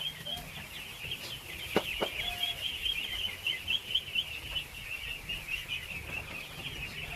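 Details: Thousands of ducklings being fed, a dense, continuous chorus of high, thin peeps overlapping without pause, with a few louder single chirps standing out and faint low rumbling beneath.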